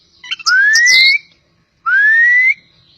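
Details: Poci-type Oriental magpie-robin from Java uttering two long smooth whistles that climb gradually, the first preceded by a few short sharp notes.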